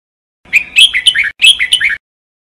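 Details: Jambul bulbul (red-whiskered bulbul) in singing training: two short, bright phrases of bubbling whistles with downward slurs, nearly identical.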